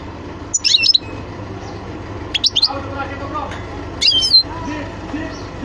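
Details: European goldfinch giving three short, high, tinny twittering bursts spaced about 1.5 to 2 seconds apart, with a low murmur of background noise throughout.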